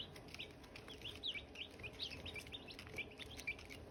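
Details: Brief stretch of Silkie chicks by hatching eggs, busy high peeping with bright sliding notes, several per second, steady and overlapping over a low hum.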